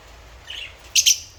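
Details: African lovebird, kept as a pet, making a soft high note and then a quick pair of loud, shrill chirps.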